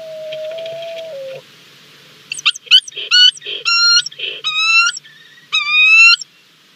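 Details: Bermuda petrel (cahow) at nesting burrows on Nonsuch Island, Bermuda, 29 January 2020, as a stranger seeks an empty burrow and a resident male chases it; about six eerie, harmonic wailing notes, some rising, over four seconds, after a steady low tone.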